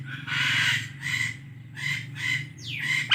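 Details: Indian ringneck parrot giving harsh, raspy chirping squawks in repeated bursts, one ending in a sharp rising-falling screech, over a steady low mechanical hum.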